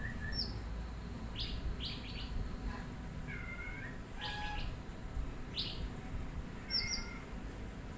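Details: Oriental magpie-robin alternating scratchy buzzy bursts with clear, slurred two-part whistles and short rasps, spaced irregularly over about eight seconds against constant low noise.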